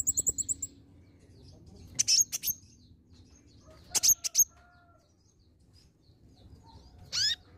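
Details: Olive-backed sunbird singing as a lure: two bursts of loud sharp high chirps a couple of seconds apart, then a single rising buzzy note after a quiet gap.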